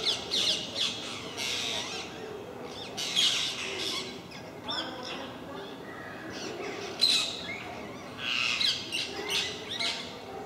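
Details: Parakeets in a group at MK park, where they regularly visit and raise a racket: repeated shrill, rasping squawks in irregular bursts throughout, with quieter chattering calls between the louder screeches.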